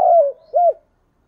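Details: Decoy spotted dove cooing to call, thúc bổi style: a brief, low two-part coo, a falling hoarse note and then a short rounded arched note, in a quiet setting.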